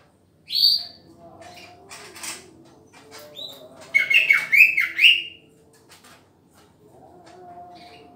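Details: Green leafbird being paired with a mate, giving scattered chirps and a run of bright, descending whistled notes in quick succession, with brief high sweeping calls before and after in a quiet indoor setting.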